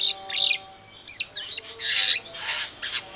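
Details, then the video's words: White-rumped shama in full, vigorous song used as a lure to provoke other shamas: bursts of harsh, buzzy notes mixed with short bright whistles, separated by brief pauses. "PANCINGAN MURAI BATU GACOR BONGKAR MATERI SEREM, SEKALI DENGAR MURAI NYAUT LANGSUNG EMOSI"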